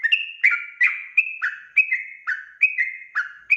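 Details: Rapid 'ropel' style song of a sooty-headed bulbul, a lure recording meant to draw replies from wild birds: clear, slightly buzzy whistled notes stepping up and down, nearly three each second.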